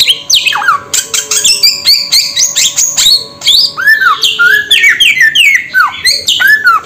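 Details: Samyong bird giving a fast run of loud slurred notes, many sweeping downward, mixed with raspy squawks in near-continuous bursts; a faint steady tone runs beneath.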